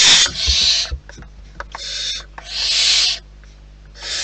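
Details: Wild barn owls in their nest giving loud, breathy hissing screeches in four bursts, with soft clicks and scratching noises between them.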